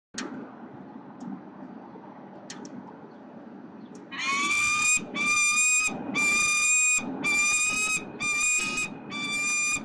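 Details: Female peregrine falcon on a nesting box in Melbourne, Australia, at 7:05 am on 15 November 2020: after about four quiet seconds, six loud, harsh, ringing squawks follow roughly once per second, with faint background hum.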